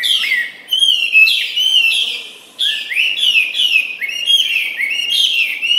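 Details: Tame Chinese hwamei in a cage singing while eating: loud, varied whistled song of swooping slurs, some rising steeply, delivered in rapid bursts with a brief break in the middle.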